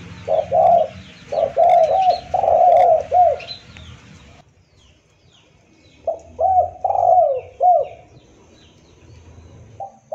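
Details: Spotted dove (tekukur) lure call used to attract other doves, clean calls for trapping: repeated low hooting coos in short phrases, a pause, then more phrases; faint high chirps of other birds behind.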